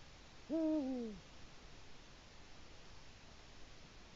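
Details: Territory call of a Eurasian eagle-owl digging its nest bowl, Latvia, evening of 1 October 2017: a single low, slightly falling hoot early on, followed by several seconds of quiet background hiss.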